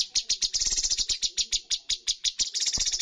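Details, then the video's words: Competition bulbul giving a full 'tembakan' song: crisp, high, clipped notes repeated several times a second, bunching twice into quick rattling runs. "cucak cungkok full tembakan poin tertinggi dalam perlombaan burung"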